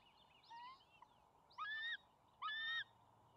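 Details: Two young bald eagles at a nest cam on May 28, 2020, scrambling for control of a fish the father has just delivered; loud, harsh, harmonic screams given in three bursts, each under half a second, over a steady background hum.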